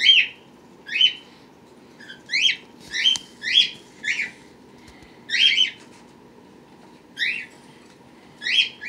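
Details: Indoor pet birds with young hatched March 31 and April 1, 2018, recorded April 23, 2018: repeated bright, ringing chirp calls, about eleven in nine seconds at uneven spacing, with a faint hum behind.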